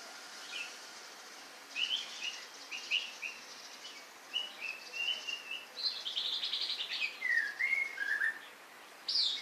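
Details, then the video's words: Varied song of a white-rumped shama: separated whistled notes and short slurred phrases that build into a fast, rich warble, then end in descending whistles over a light background hiss. "Murai. Batu"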